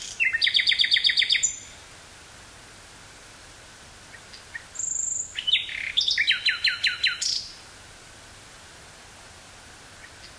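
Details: Common nightingale singing in woods near Burgh-Haamstede, Netherlands, on 18 May 1983, taped on a Sony TCD-5M portable cassette recorder: two bursts of loud rapid repeated chirping notes with pauses between them, over a quiet background.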